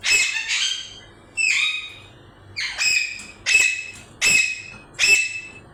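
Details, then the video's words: A string of harsh parrot squawks, about six loud grating calls spaced roughly under a second apart, some slightly drawn out and fading. "Parrot making noise||parrot real sounds"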